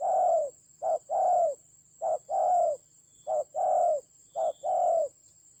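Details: Decoy-fight recording of a spotted dove in the Central Highlands mountains of Vietnam, October 2020: five rounded two-part coos, a brief note then a longer falling one, evenly spaced roughly every second, with a thin electronic whine behind.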